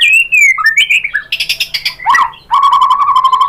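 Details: White-rumped shama lure song meant to trigger answering song from other shamas: sliding whistles, a burst of buzzy chattering notes, then a steady, fast, low trill.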